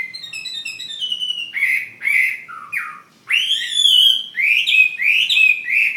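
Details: Chinese hwamei kept as a fighting bird, from Ha Giang, Vietnam: a sequence of clear, pure whistles gives way to loud swooping and upslurred phrases after a brief pause, repeated in bold bursts.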